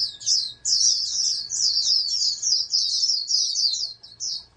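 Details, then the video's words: Caged oriental white-eye, bred for song competition, delivering a rapid high-pitched chattering warble in long unbroken runs, pausing briefly near the start and end, over a faint low hum. "TERNAK BURUNG PLECI CALON JUARA NASIONAL"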